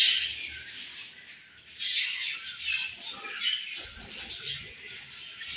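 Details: Home-bred young budgerigars twitter in a soft, hissy, high chatter that rises in loud bursts around two, three and a half and five seconds, with faint low rustling.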